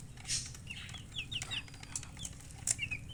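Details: Chicken chirping: bright, high peeps that slur downward, given singly and in short clusters every fraction of a second, over light rustling and scratching noise.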